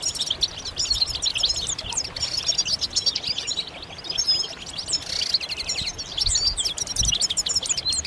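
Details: Group of European goldfinches in a busy chorus of mating calls used to rouse silent males into singing; fast, high, liquid twitters and trills overlapping without pause, with faint background hiss.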